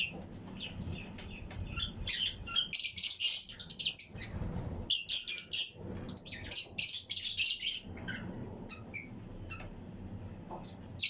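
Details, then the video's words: Colony of Fischer's and Lutino lovebirds, pairs in a flight cage aviary, chirping along with other birds: dense bursts of shrill, high buzzy chirps overlapping rapidly, with brief quieter gaps and low room rumble between. "Fischers & Lutino Colony Chirping Sounds"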